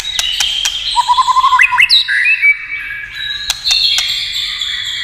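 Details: White-rumped shama song triggered by tail-tapping: a run of short rising notes climbing in pitch, followed by clear whistles and a few sharp clicks.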